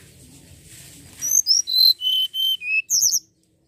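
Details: A common iora, in a recording used to lure birds into singing, sings a quick run of thin, high whistled notes stepping downward in pitch, then a brief higher flourish after a faint murmur.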